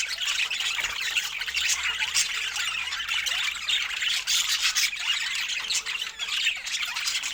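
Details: Pet budgies sharing fruit produce a constant, scratchy high-pitched chatter of squeaks and rasps, fairly even in loudness throughout.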